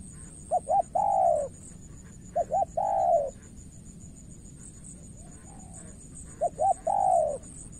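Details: Spotted dove calling in Cà Mau, Vietnam, decoy against a skilled opponent: three repeated phrases of two short coos and a long mellow coo, with a softer distant coo in between and a faint steady whine.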